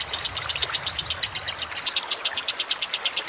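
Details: Lovebird master recording mixed with trickling water: a long, rapid run of high, sharp chips, about six per second, steady and unbroken throughout.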